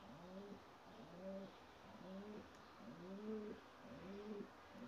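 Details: White Ges pigeon squabs, young of a Gök Alaca Ges parent; Ges is a medium-sized cross of Bağdat with flight or post pigeons. Low arched, rising-then-falling squeaky calls repeat about once a second, five in a row over faint background hiss.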